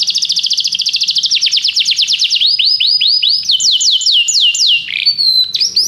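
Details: ['Canary singing a rapid rolling trill of high descending notes, changing to slower looping whistled syllables, then a few repeated sliding notes ending in a short buzzy flourish.']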